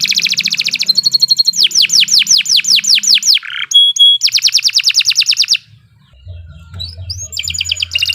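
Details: Master song of a canary, used to train other birds: fast buzzy trill, then rows of sweeping downslurred whistles and quick rolled notes, a pause near the end, then resumed high trilling with faint low hum.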